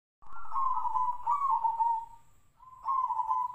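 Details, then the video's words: Zebra dove (perkutut) singing in the Tejoanom style, a voice likened to the sirtu-sirpo bird: a long, low, vibrating coo held for about two seconds, a pause, then a further rolling coo phrase. "PERKUTUT TEJOANOM|| SUARA SEPERTI BURUNG SIRTU-SIRPO"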